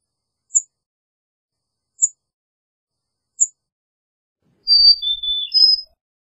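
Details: Small songbird, named as the Carolina chickadee, giving three tiny high ticks about a second and a half apart, then a short pair of thin whistles over faint low thumps.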